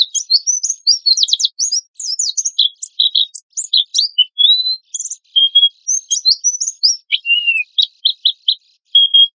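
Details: Oriental white-eye tutoring compilation in 'tembakan kasar' style: quick chip clusters and zigzag whistles give way to longer slurred notes, a downward-sweeping whistle, and spaced short chirps.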